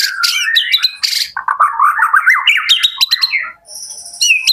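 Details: White-rumped shama from Jakarta: a swooping whistled opening, a rasping burst, then a bubbling series of lower warbled notes climbing upward, closing with high fluttering trills.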